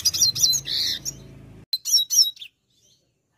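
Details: Brown dilute red siskin in vigorous gacor song, giving quick high twittered notes and a short warbled phrase, then a pause and a few final sharp chirps, over a faint low hum.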